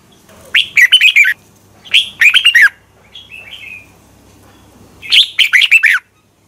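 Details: Red-whiskered bulbul, a caged bird used for training and lure calls to spur other males into competitive morning singing; three bursts of rapid, warbling whistled phrases around one second each, separated by short pauses, with a faint softer chirp between the first two bursts.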